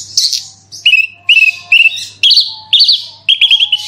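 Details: Horsfield's bush lark in vigorous 'super roll tembak' singing, used as a lure to set other bush larks singing: bright chirped phrases of short slurred whistles and trills, repeated about twice a second, over a faint low hum.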